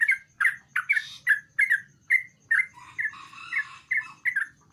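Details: Sooty-headed bulbul singing busily, used as a lure for a quiet one: chirpy slurred notes in quick succession, with a softer, lower warble in the middle.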